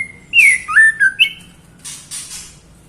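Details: Female white-rumped shama calling the male, a loud whistled phrase of four joined notes, rising then falling and sliding, followed by soft rustling.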